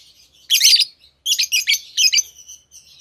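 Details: Lovebirds chirping with a loud harsh burst, then a string of rapid scratchy chirps, over a soft background twitter.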